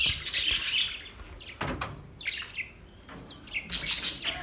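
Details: Budgerigars singing their mating call: bursts of shrill, scratchy chirps and squeaky whistles separated by brief pauses, with a couple of soft thumps.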